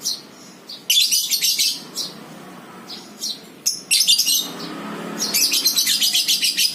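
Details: Lovebirds in the ngekek style, recorded as a lure in the morning: loud, high, rapid chattering bursts in several runs of about one second each, shrill and harsh, with short pauses between them.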